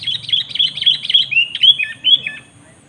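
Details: Sooty-headed bulbul in a luring duel with a rival: rapid warbled notes first, then clearer falling and rising whistled slurs, loud and close, with a faint steady high tone in the background.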